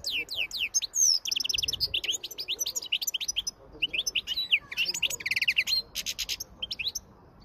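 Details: Wild-type field ("campero") European goldfinch singing a fast, tinkling stream of high twittering notes, liquid trills and short buzzy phrases, with brief pauses between bursts.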